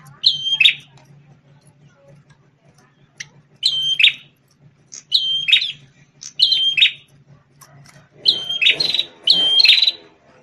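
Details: Red-headed prenjak tamu prinia, a champion singer and ex-tutor for white-rumped shamas, utters a string of whistle-and-buzz phrases, coming faster and overlapping toward the end amid rustling noise; low hum throughout.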